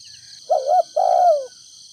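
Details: Spotted dove decoy from Ninh Thuận, in the earthy thổ đồng voice, used to lure wild doves: two mellow coos, a short one then a longer one sliding down, over a steady high electrical hum.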